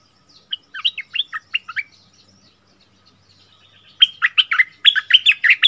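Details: Red-whiskered bulbul singing a 'double song' (phrase style named เพลงเบิ้ล), recorded 24 February 2021: two bursts of rapid, bright whistled notes, about seven notes in each, some rising, some falling, separated by a pause of around two seconds.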